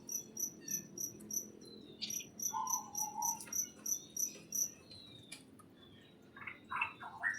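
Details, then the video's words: Inside a greenhouse, a rhythmic high ticking repeats about twice a second while birds add a flat whistled note and a few rough chirps near the end. "Greenhouse and the chirping sound of birds"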